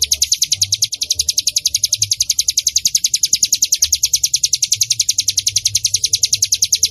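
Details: Bar-winged prinia singing on a lure recording meant to train other birds. High, thin notes are rattled out rapidly and evenly, roughly eight each second, for the whole stretch over a soft low background rumble.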